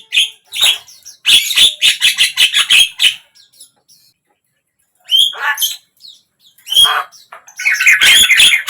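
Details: Javan myna song for coaxing a mute bird into song: quick harsh chattering run, a silence, then varied squeaky and grating notes ending in a dense buzzy burst.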